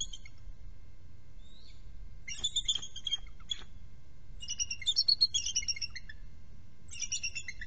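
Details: At a nest shared by three bald eagles, one bird relieving another early on the nest: rapid runs of squeaky, whistled chitters, harmonic-rich, coming in two main bursts with a brief trailing series, steady low hum beneath.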